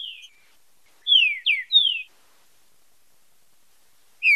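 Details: Green-winged saltator singing in the fibra com marcheado style for song stimulation: three strong clear whistles, each sweeping downward, followed by silence and the start of another note.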